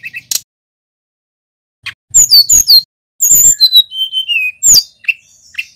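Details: Local male mountain white-eye from Pacitan: faint chips, a quiet gap, then a burst of piercing chirps and a whistled phrase stepping downward, ending with a few scattered short notes.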